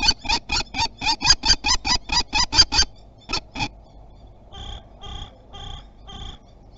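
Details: Common kestrel defending its territory at Théding, France, 27 April 2021, near a nest watched by webcam in spring: a fast run of about a dozen harsh, sharp kee notes, then a pause and a slower, fainter series of calls.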